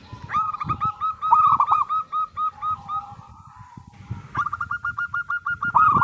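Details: Local zebra dove in song, used to prompt other doves to call back: a rapid run of hooked cooing notes that fades and pauses, then a fresh bright burst of quick coos, with low rumbling noise throughout.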